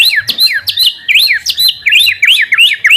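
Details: White-rumped shama lure song to provoke response: fast, continuous run of bright looping whistled notes, each swooping up and down, repeated about three per second, loud and clean.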